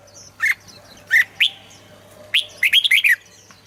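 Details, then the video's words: Cheerful red-whiskered bulbul song for exciting listening birds: a few isolated rich whistles, then a rapid run of five or six rolling, slurred notes near the end, against a quiet hum. "เสียงนกกรงหัวจุก สำหรับต่อ หรือ เปิดให้นกคึก เสียงเพราะๆ"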